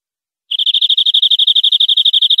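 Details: European greenfinch song from a clean tutoring recording for captive birds: silence, then a fast, uniform trill of high, bright notes about nine per second, continuing steadily without change.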